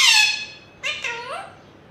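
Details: Pet Indian ringneck parakeet talking: a harsh, high squawk, then a short run of voice-like syllables with gliding tones, indoors.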